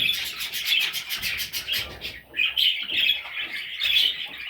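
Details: Parrot chicks chirring with fast rasping, scratchy notes at first, then clearer high chirps after a brief dip.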